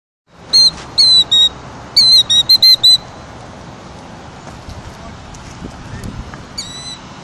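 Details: Killdeer defending its nest of eggs in rocks from a nearby person gives a rapid burst of about eight shrill, piercing notes in just over two seconds, then one more after a pause, over a low outdoor rumble.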